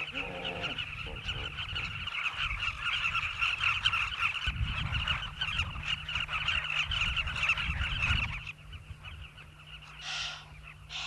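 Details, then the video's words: Southern carmine bee-eaters at a riverbank nesting colony of migrants in South Luangwa National Park, Zambia: a dense chorus of many overlapping rolling, throaty calls. A steady low rumble runs underneath, and calling thins out near the end. "Southern Carmine bee-eater colony, Luangwa, Zambia"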